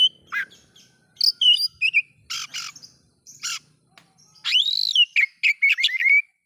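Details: Oriental magpie-robin song played to provoke other magpie-robins, mixing sharp whistles, harsh buzzy bursts and clicks, ending with a loud arched note and a run of quick rising whistles.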